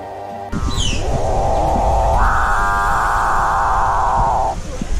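A Capuchinbird gives a long, drawn-out, cow-like moan that steps up in pitch midway and holds for about two seconds before cutting off, over background music.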